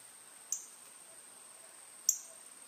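Two sharp, high, metallic chip notes about a second and a half apart, typical of a cardinal, over a faint steady high whine.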